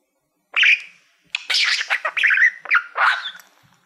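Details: A male pet budgie warbles to a silver plaque he treats like a mirror: a single squeaky chirp, then about two seconds of rapid buzzy chatter and sliding squeals.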